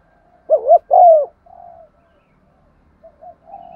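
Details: Spotted dove lure bird cooing in 'giọng son' style to stimulate other doves; one close phrase of two short notes and a falling drawn-out coo, followed by softer distant coos.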